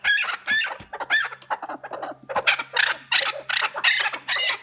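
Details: Chukar partridge (keklik) in a 'keklik hengamesi' calling bout: rapid, harsh, rasping clucks in short bursts, about two per second, with a steady faint low hum beneath.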